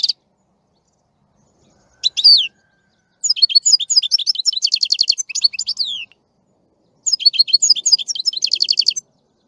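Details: European goldfinch singing in bursts of bright, twittering high notes mixed with quick buzzy trills and falling slurred whistles, separated by short silent pauses.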